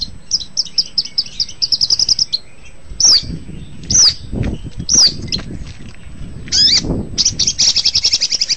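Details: Long-tailed shrike song used as a tutor recording for training cage birds: fast run of high chattering notes, then sharp rising whistled slurs about once a second, ending in a dense buzzy trill.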